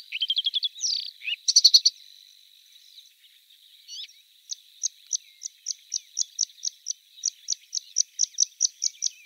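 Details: Bluethroat: rapid burst of twittering and a harsh rattle, a pause with faint warbling, then a long series of sharp, clipped high notes repeated about twice a second.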